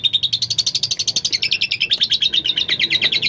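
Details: Tame female lovebird giving a long 'ngekek' trill, used to stimulate other lovebirds into singing: a rapid, steady stream of sharp high chirps, about eight per second, running continuously throughout.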